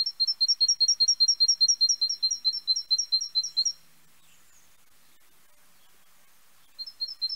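Great tit singing a fast, high run of two-note phrases, about five a second, for nearly four seconds. After a pause, it starts again.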